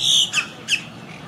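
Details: Wild Quaker (monk) parakeet from a colony living high in trees, recovering after hurricane Irma: one long harsh squawk followed by two short rasping notes, loud and high-pitched.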